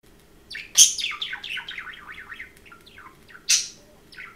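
A budgerigar chatters in a fast warbling run of rising and falling chirps, broken by two sharp high squawks; a faint low indoor hum sits underneath.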